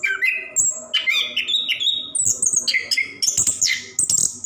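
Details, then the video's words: Caged orange-headed thrush pouring out varied song intended to prompt lazy birds to sing; mixed whistles, chatter and buzzy high notes in a rapid, crowded sequence. "Anis Kembang / Plontang Gacor Ngerol"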